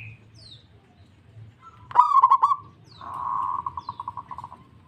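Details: Local zebra dove answering straight away with one loud, stuttering coo, followed by a steady purring trill of quick, evenly spaced pulses that slowly fade.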